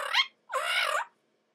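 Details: Pet red-lored amazon parrot, a male, squawking between a person's coaxing words: a short harsh rising squawk, a brief pause, then a longer nasal, rasping screech.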